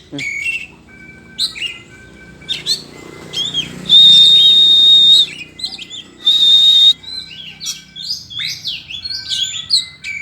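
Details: Oriental magpie-robin, known locally as kacer, sings a varied run of whistled notes and chirps, with two long steady high whistles near the middle and many short sliding phrases around them.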